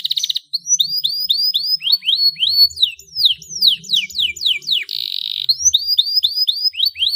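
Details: Canary singing 'gacor' as a lure for untrained birds: a fast buzzing trill opens, then repeated rising-falling whistled sweeps, a dense harsh buzzy stretch, and more sweeping whistles, with soft low knocks in the background.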